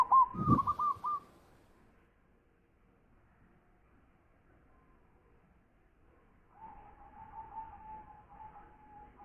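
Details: Local zebra dove, described as a loud-voiced champion singer: a short burst of rolling, trilled cooing near the start over a low thump, then a long, quiet, steady tone later on.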